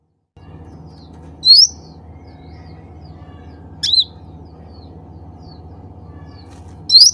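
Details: Cucak ranting bulbul calling fellow birds: a rising chirp, then a sharper broken note, then another rising chirp at the end, spaced a few seconds apart over a steady hum.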